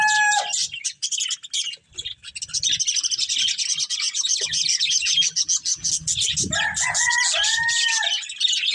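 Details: Budgerigars feeding on green food give a dense, continuous buzzy warbling chatter, with a few clear whistled notes at the start and near the end.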